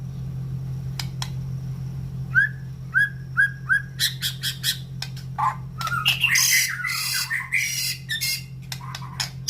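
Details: Caged white-rumped shama in breeding condition, kept in a round cage beside breeding cages: sharp clicks, a series of four rising whistled slurs, then dense harsh chattering bursts; steady low hum throughout.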